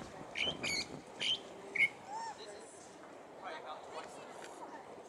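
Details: California thrasher at Cabrillo Point singing a run of varied, harsh-edged notes and squeaky phrases, loud at first and then softer, over a steady low background rumble.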